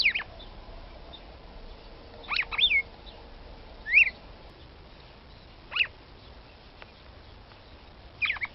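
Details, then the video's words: Female red-cowled cardinal, calling to rouse a male, repeats crisp high chip notes and quick slurred notes at irregular intervals of one to two seconds, with steady low hiss behind. "Fêmea Galo de Campina Chamando para Esquentar Macho"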